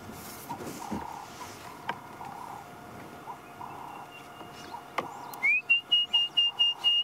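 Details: Orange-breasted bushshrike (Chlorophoneus sulfureopectus) calling at sunset on 26 February 2016 in Sabi Sand, after rains, amid excited birds: an upward slur, then a quick run of about seven clear, even whistled notes, after soft distant bird calls over a low hum.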